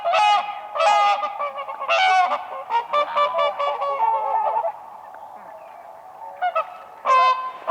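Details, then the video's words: On the ice of a lake in spring, dancing whooper swans give bursts of loud bugling honks. These fade to a quieter murmur of calls before one more loud trumpet closes the sequence. "WHOOPER SWAN birds dancing on ice"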